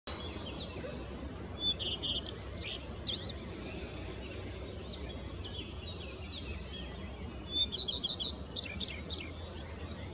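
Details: Common redstart singing from the top of a castle tower in Boves, Italy, on 6 April 2021: short, high, jingly song phrases several seconds apart over a steady low rumble.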